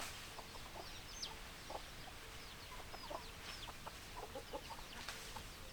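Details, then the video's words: Domestic chickens heard as hens in a flock: short, scattered clucks throughout, mixed with high thin downslurred chirps from small birds and a faint repeated mid-pitched tone under a steady background hiss. "Chicken Sounds Noises Hens Clucking Roosters Crowing"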